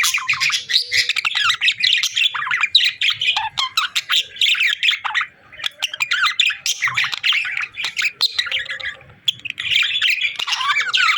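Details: A lively stream of budgie chatter, with buzzy warbles, quick chirps and harsh squawks tumbling over one another, dipping briefly near the middle before resuming at full strength.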